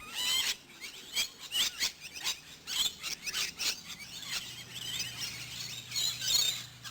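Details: Wild Rainbow Lorikeets at a campground in Queensland, Australia, part of a flock fed in the afternoons and lured across to a camper. Shrill, screechy high calls in rapid overlapping bursts, with a steady low hum beneath.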